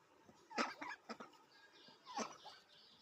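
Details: Pet duck kept at home, calling softly just after a bath indoors: a few short, nasal, harmonic notes in quick bursts, then a longer rising call near the end, in a quiet small room.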